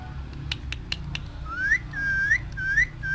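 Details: Parrot speaking in its cage: a few sharp clicks, then three or four short rising whistled slurs in quick succession, with steady low background hum.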